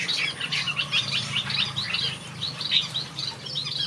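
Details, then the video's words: Backyard aviary finches chatter in a thick chorus of quick, bright chirps and zigzag trills, almost without pause, over a faint low rumble. "Watch these finches sing a beautiful melody in my backyard"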